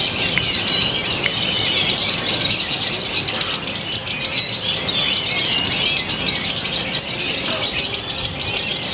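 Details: Song of a lovebird from Purwakarta, Indonesia, with a new style and pauses growing ever closer. High, scratchy twittering pours out nonstop in a rapid chattering stream.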